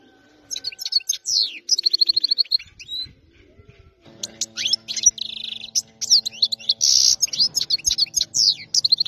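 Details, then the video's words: Wild-caught European goldfinch from region 86, its song described as fault-free: rapid liquid twitters, sharp chirps and buzzy rolling trills in bursts, a brief pause near four seconds, then a fuller stretch of tinkling notes. "تغريد حسون صيد خلوي منطقة ٨٦ خلي من الأخطاء"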